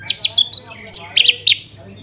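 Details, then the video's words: Orange-headed thrush lure song, Bali: quick series of loud sharp high notes, roughly six per second, mixing whistles and slurred chirps, fading out after a final note; soft background hum. "Pancingan ANIS MERAH agar cepat Berkicau Gacor"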